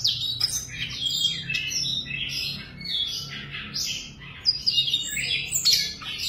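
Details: Siberian rubythroat, a tame cage bird, pouring out a busy high-pitched warbling song mixed with harsher squeaky notes and sharp clicks, over a noticeable low hum and room noise.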